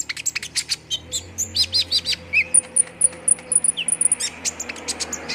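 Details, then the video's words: Olive-backed sunbird, sung as a quick-response lure: bright, sharp high chirps in rapid succession, then a run of thin, sustained very high pips at an even pace, followed by more clipped ticks. "PANCINGAN KONIN CEPAT RESPON BIKIN CEPAT BUNYI DAN GACOR"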